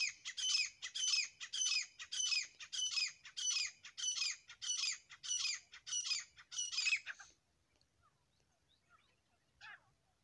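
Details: Grey francolin pair in loud, rasping call bursts, about twelve harsh phrases repeated roughly every 0.6 seconds, stopping abruptly, then quiet with one last short note near the end.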